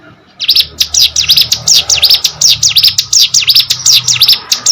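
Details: Hill prinia in full song, a steady run of sharp, high V-shaped notes about five per second, evenly spaced over a soft low hum.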